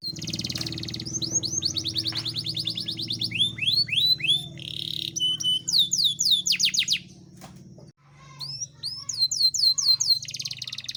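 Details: Yorkshire canary from a breeding cage singing vigorously, used as a master song to prompt lazy canaries to sing and to encourage mating; rapid high trills alternate with sweeping downslurred whistles, a brief pause near the end, over a steady low hum.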